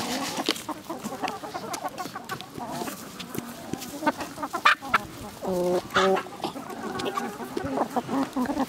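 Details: Village hens clucking amid flock chatter, mostly soft overlapping notes with a louder harmonic squawk burst near six seconds and scattered sharp clicks from the yard.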